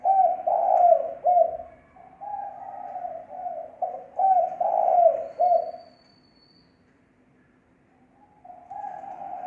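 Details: Lure coos of a spotted dove (thổ mồi), recorded without noise: two phrases of soft, rounded notes, then about two seconds of silence before the cooing resumes.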